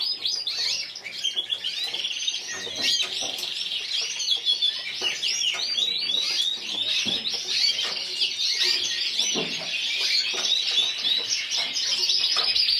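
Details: Competition canary, a yellow frosted lipochrome bird placed runner-up individually at Burgos 2014, delivers an unbroken stream of fast chattering trills and sweet whistles that stays steady and loud throughout.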